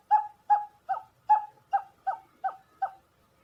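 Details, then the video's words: Barred buttonquail, male alternating with female, used as a decoy sound: eight short, even hooting notes, about two and a half per second, each with a slight falling tail, in a quiet background. "เสียงนกคุ้มตัวผู้ สลับตัวเมีย"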